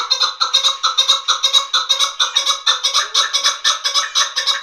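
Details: Chukar partridge, a hunting bird with young and female chukar named: rough, scratchy chuck notes repeated about twice a second in an even, driving rhythm, bright and grating, with no other clear sounds.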